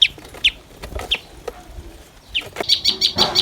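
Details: Common tailorbird parents feeding chicks with caterpillars: a few high, sharply falling chirps spaced about half a second apart, then a rapid burst of seven or so short, even high notes at the end.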